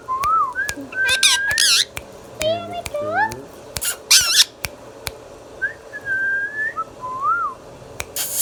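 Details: Pet talking Indian ringneck parakeet runs through wavering whistles, shrill screeches and nasal, speech-like chatter, with looping whistled phrases near the end. Clicks occur throughout.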